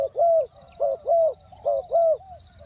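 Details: Spotted dove decoy calling to lure wild doves, a two-note coo style: low hollow paired coos, a short note then a longer falling one, repeated about every 0.8 seconds over a steady high-pitched whine.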